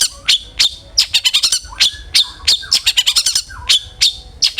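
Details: Long-tailed shrike song used as a lure to get other shrikes singing: loud, varied high notes, sharp descending chirps and quick stuttered bursts, with a few low hooked whistles between clusters.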